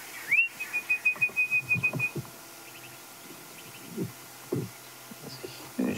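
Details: Orange-breasted bush-shrike at sunrise in late summer, 2 March 2016, Sabi Sand, Greater Kruger, northeastern South Africa: about eight clear, evenly spaced whistled notes on one pitch amid a non-alarm party of calling birds, low thuds and murmuring.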